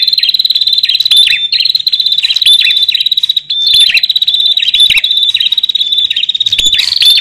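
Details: Male and female bar-winged prinias, kept as a lure for wild birds, give a shrill, nonstop chatter of quick, high, sharp notes, dozens per second, with no gaps or other sounds.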